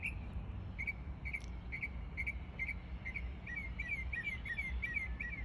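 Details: Copying other birds, a mockingbird gives sharp, spaced chirps that speed up into quick doubled notes toward the end, with a faint high ticking and low background rumble.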